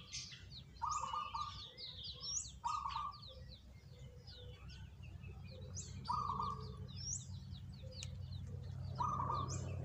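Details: Zebra doves, one of three selected birds most eager to sing, giving short rolling cooed phrases repeated every two to three seconds, with many high chirps from other birds throughout.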